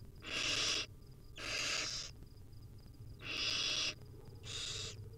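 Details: Begging wild barn owl chicks receiving tiny morsels from their mother: four loud, rough hissing screeches, each around half a second or longer, separated by short pauses, with a faint steady ticking behind.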